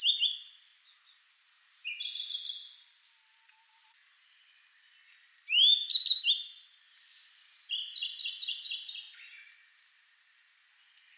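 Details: At Togakushi's Kagami-ike pond in Japan, a sub-adult Grey Bunting alternates songs with a Siberian Blue Robin. Thin high whistles are broken by buzzy, chattering phrases and sharp upswept notes, several song bursts in eleven seconds.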